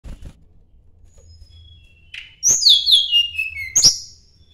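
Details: Sunda blue robin singing as if seeking a rival: quiet start, then after two seconds a buzzy note, sharp clicks and bright whistled phrases that slide downward, ending with a high descending whistle.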